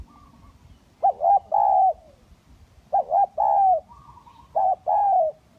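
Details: Spotted dove lure recording of kacuk and kampung types: three rhythmic phrases, each a stuttered double coo and a sustained falling coo, soft, hollow, with thin high chirps between.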